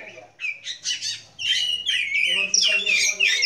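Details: Short burst of Oriental magpie-robin song at a Sunday kacer meet-up: a few separate chirpy notes, then a rush of loud, overlapping whistles and squeaky trills, with a human voice murmuring underneath.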